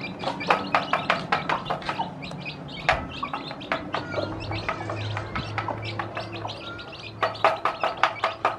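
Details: Many baby chicks just hatched by a hen that is teaching them to eat: clear, high, short peeps repeated in quick bursts, with brief pauses and a low steady hum in the background.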